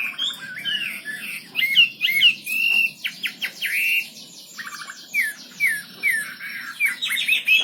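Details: Wambi bird, kept as a song tutor, delivering a choppy song of short whistled slurs, buzzy trills and sharp chirps, broken by brief pauses, with varied phrases following one another.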